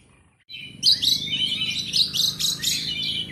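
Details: Asian pied starling starting nonstop song after brief quiet: a dense, noisy chatter of squeaky whistles and rasping notes that stays loud throughout.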